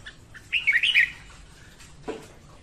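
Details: Morning song of a female red-whiskered bulbul, used for training birds and luring them to traps: one quick warbled phrase of rising and falling notes, then a brief harsh note.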